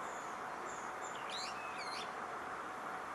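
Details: Brown-eared bulbul recorded on 21 June 2014 in Odawara, Kanagawa, Japan: a pair of shrill, sharply swooping squeaky notes, one rising then falling, over a constant loud rushing background noise.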